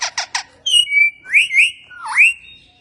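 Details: Talking Indian ringneck parakeet kept as a pet: three short harsh squawks, then a drawn-out whistled phrase with two rising slurs and a final dipping, upswept whistle, all shrill and clear indoors.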